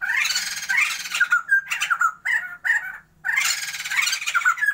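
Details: White-crested laughingthrush pair, caged for a breeding attempt in Sumatra, singing actively: loud harsh cackling bursts mixed with short whistled notes, a brief pause near three seconds, then another raucous burst.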